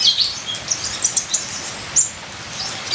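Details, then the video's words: Brief stretch of ninja sunbird song: scattered high thin chirps and a few quick slurred whistles, about one per second, over constant rain noise. "Terapi Suara Kolibri ninja full isian"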